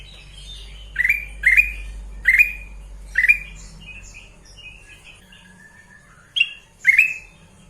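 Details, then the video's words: Sooty-headed bulbul, kept bird, repeating short rising whistled calls, four in quick series, then softer thin whistles and two more calls near the end, over low hum. "Burung kutilang emas"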